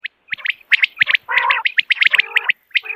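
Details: Common quail calling in the morning, a recording used by hunters to draw birds close: rapid clusters of sharp, high chirps in short triplet bursts, mixed with lower buzzy, harmonic-rich notes, with brief pauses between groups.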